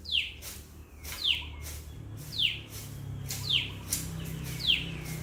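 Common tailorbird repeating a sharp, high, downslurred note about once a second, five times in succession, over a low background hum.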